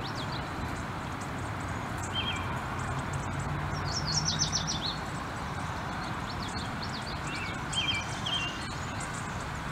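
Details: A flock of American bushtits bathing together gives thin, high twittering notes and brief buzzy trills, scattered and overlapping, over a steady low rumble and splashing.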